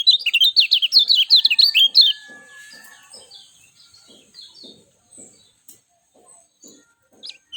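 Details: A lemon-bellied white-eye delivers a brisk two-second string of bright, high slurred notes, repeated rapidly; the rest is quiet apart from soft clicks and a last brief high chip.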